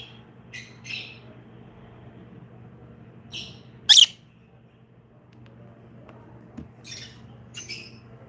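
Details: Pet green masked lovebird during its daily routine: sharp, high, squawky chirps in scattered bursts, one loud harsh screech and short quiet gaps, over a low steady hum.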